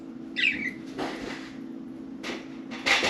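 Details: Pet budgies, four of them, playing and talking in and on their cage: a brief bright chirp, then scattered rustling and clicks, closing with another harsh chirp burst, under a constant low indoor hum.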